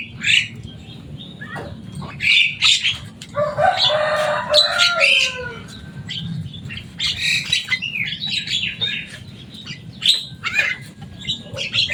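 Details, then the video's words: Loud, noisy Javan myna, said to learn human words, delivering a rapid jumble of clicks, rasping chatter and a rich gurgling phrase around the middle, followed by more squeaky notes. "Burung jalak kebo selain suaranya yang rame"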